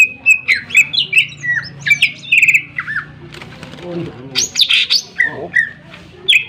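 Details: Greater green leafbird in full song, used to provoke other birds to sing: loud sharp whistled notes and harsh bursts mixed freely, with a noisy rasping passage midway.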